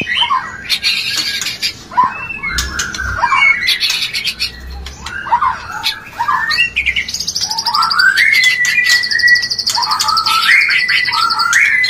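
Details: Mating song of a white-rumped shama, played to lift breeding drive: rapid clusters of chirps and slurred whistles, later a long, high, buzzy trill and clear upslurred phrases.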